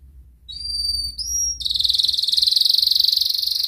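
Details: Canary ngerek song used to coax silent canaries into singing: two clear high whistles, then a dense, fast, buzzy trill held to the end, over a soft low hum.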